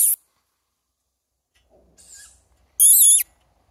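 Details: A young tawny owl begs for food, giving one loud, hoarse, wheezy screech lasting about half a second after a softer, thinner hiss; otherwise quiet.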